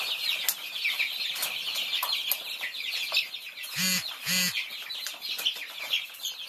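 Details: Thai chicks feeding, many baby chicks peeping together in a dense, continuous chorus of high thin cheeps, with two short lower clucks midway and light tapping sounds.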